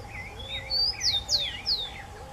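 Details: Chingolo, or Rufous-collared sparrow, gives one song: a soft introductory whistle, then three sharp downslurred whistles. Lower, wavering warbles from another bird and a steady low hum sit underneath.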